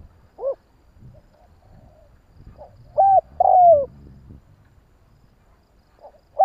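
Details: Spotted dove cooing in the kích bổi style used to rouse other doves: an arched note, then a pause, then a flat coo and a long descending coo. Low rumbling noise runs underneath.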